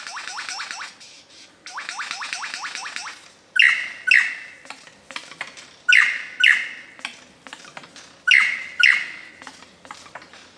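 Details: Mature male lyrebird singing part of his repertoire under dark rainforest canopy in Dorrigo National Park: two rapid runs of bright, downward-sweeping whistles, then loud, harsh, ringing notes in pairs about every two seconds.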